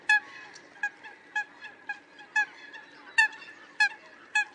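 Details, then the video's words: Eurasian coot giving short, nasal, honking notes, one roughly every half second to second, over a quiet background; used as a lure call for night bird trapping. "Tiếng sâm cầm chuẩn"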